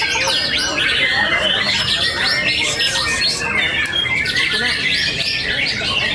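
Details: Young long-tailed white-rumped shama competing at a Surabaya night contest, winning first place in the main class; rapid, varied high warbles and harsh squawky notes amid other singing birds and steady background din.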